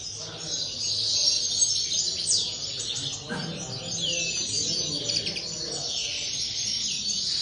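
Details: Aviary linnets twitter busily together, a constant high warbling mesh broken by occasional clear falling whistles and a soft low murmur underneath.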